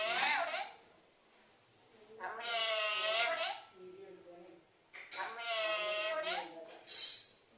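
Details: Talking parrot calling for mom in Malayalam, giving a short call and then two long, bending harmonic utterances with a brief high squeak at the end, separated by quiet gaps.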